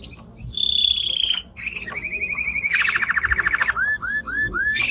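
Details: Male timbrado canary in strong song, opening with a bright sustained whistle, moving into a fast rolling trill and then a run of repeated curved slurred notes.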